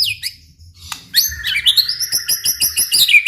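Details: White-rumped shama in energetic song played to provoke other shamas into answering, high sweeping whistles and rapid trilled notes climbing and falling, dense quick phrases after a brief soft opening.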